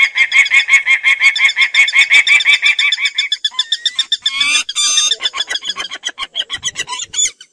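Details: Peregrine falcon cackling quickly for about three seconds, the notes then fading and breaking into harsh screeches and irregular shorter calls.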